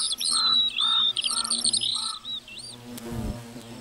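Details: High twittering lark song from a meadow over a low buzzing hum, ending in a dull knock and quieter background.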